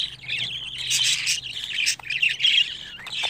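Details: Budgerigar nestlings aged 25 days call in wheezy, rasping bursts that swell and fade, with short pauses between groups of calls.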